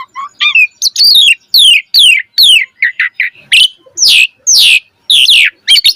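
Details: Full-variation song of an Asian pied starling for training birds to sing: a fast series of sharp, falling whistled notes repeated over two per second, with short chattering clusters and a few louder squeaky upswept calls.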